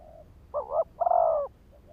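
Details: ['One cooing phrase from a spotted dove kept as a decoy to trigger wild birds, a brief two-pulse note then a longer, slightly falling hoarse coo, soft tail notes before and after.']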